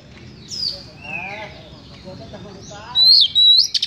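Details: [['Oriental magpie-robin, its harsh song meant to stir up emotion: scattered slurred whistles and a descending quavering phrase, then two loud high sustained whistles ending in short buzzy notes.']]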